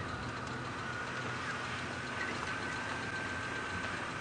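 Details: Steady idling vehicle engine with a low knocking rumble and a faint constant whine, recorded during an early-morning safari drive; no animal calls stand out.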